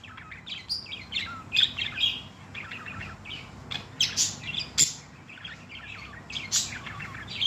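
A budgerigar chatters in quick, scratchy warbles and bright chirps.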